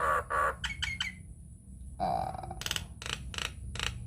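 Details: Lure recording of a Nias hill myna for stimulating other mynas to sing: two throaty honks, quick squeaky notes, a drawn-out nasal call, then sharp explosive squawks.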